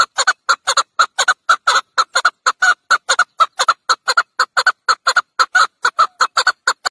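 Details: Fast, continuous chukar partridge clucking, short sharp notes tumbling out about two per second in an unbroken, slightly uneven series, with a quiet background.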